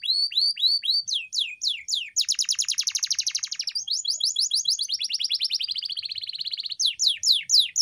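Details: Pet canary training song: a series of looping whistled notes, then fast chattering trills in shifting tones, ending with clear sweeping downslurs repeated about twice a second.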